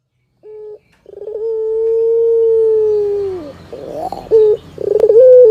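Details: Barbary dove singing melodiously while a cat listens: a short low note, then a pulsed burst that runs into one long, steady, drawn-out coo falling at its end, followed by quick buzzy pulsed notes.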